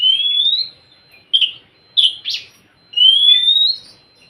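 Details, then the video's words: Oriental magpie-robin song played to encourage a quiet bird: a rising whistle, three short harsh rasping notes, then another long rising whistle, all loud and clear. "Siulan KACER untuk kacermu yang malas bunyi"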